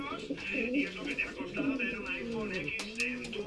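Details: Canary pouter pigeons, ardent males in strong breeding condition, kept birds: low rolling coos in overlapping bursts, with bright raspy overtones above, continuing through the short stretch amid indoor room sounds.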